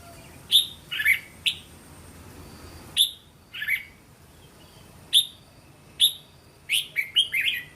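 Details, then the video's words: Red-whiskered bulbul, linked song used to train young birds: sharp single whistled notes and short two-note slurs scattered with pauses, closing in a quick run of four rapid warbled notes. "เสียงนกกรงหัวจุก เสียงยั่วๆๆสายต่อ"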